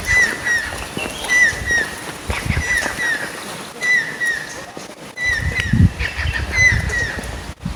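A Stork-billed Kingfisher gives loud, clear whistles that slur downward, repeated about once a second, some in quick pairs. A low rumble of wind or water runs underneath.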